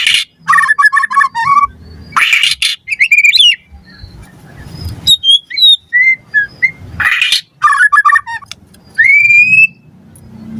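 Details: Captive-bird training lure of white-rumped shama song: harsh noisy bursts alternate with rapid stuttering notes, pure high whistles and a long rising whistled slur near the end, with low rumbling background.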